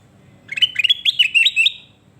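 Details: Kutilang emas, called sooty-headed bulbul, sings a fast chattering phrase of about eight whistled notes that dip and rise in quick succession for over a second, on a faint low background hum.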